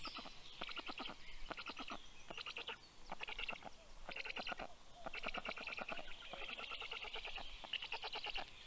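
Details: Black stork pair at a nest in Karula National Park, southern Estonia, 19 June 2023 at 6:06 am. The female arrives with breakfast for the chicks as the male leaves. Bursts of rapid rasping pulses come in quick runs, with other birds singing behind.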